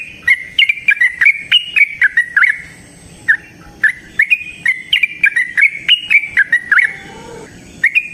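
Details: Trucukan, the yellow-vented bulbul, singing freely in a natural forest setting as a lure for other birds: bursts of fast bubbling chirps, a short gap near the middle, then another rapid chattering phrase.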